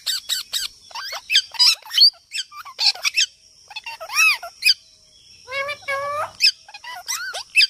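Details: Parrot giving a rapid series of high whistled and squeaky notes, some rising and falling in arcs, others short sharp chirps, with brief pauses between bursts and a faint steady high tone behind.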